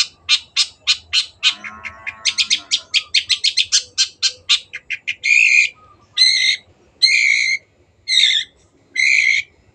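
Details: Long-tailed shrike singing steadily as a tutor recording for caged birds: a quick run of sharp clicking notes, then loud harsh buzzy bursts repeated about every three-quarters of a second, with faint low rumble beneath.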